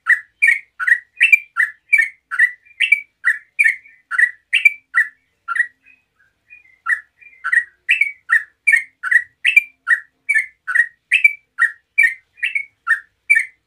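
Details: Sooty-headed bulbul delivering long 'ngeropel' singing as a lure to trigger other bulbuls: dozens of clear chirping notes in quick alternating pairs, about two or three per second, broken once by a brief pause midway.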